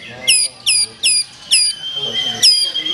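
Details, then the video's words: Black-tailed white-rumped shama giving sharp, high descending notes, repeated about every 0.4 seconds, followed by a softer held tone and one more loud sweep. "Murai Batu Ekor Hitam, Tonjolan Mantap"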